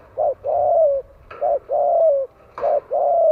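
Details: Spotted dove calling in Vietnam to attract wild doves. Loud, deep coos in steady pairs, a short coo then a longer descending one, repeated three times roughly every 1.2 seconds.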